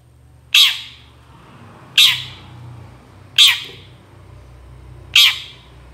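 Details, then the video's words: Long-tailed shrike, intended to lure other shrikes into calling back: four loud, scratchy squawks spaced about 1.4 seconds apart, set against a noisier background with low rumble and hiss. "CENDET GACOR SUARA AMPUH UNTUK PANCINGAN CENDET MANAPUN AUTO NYAUT BUNYI"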